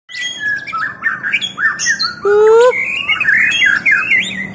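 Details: White-rumped shama giving a rapid, varied run of whistled and slurred notes, some harsh and squawky, with a bright rising whistle near the middle, in a small indoor space.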